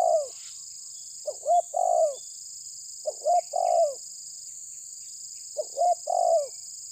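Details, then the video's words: Spotted dove of the tabir type pressing a rival, giving low hooting three-part coo phrases, two short notes then a longer falling note, repeated about every two seconds against a steady high hiss. "Terkukur menekan lawan bikin emosi ~TERKUKUR TABIR"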